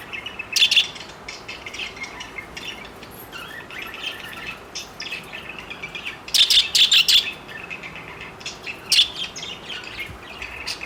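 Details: Flirting among four pet parakeets: bright high chirps come in bursts, a loud rapid cluster midway and another sharp chirp later, with quieter twittering filling the gaps.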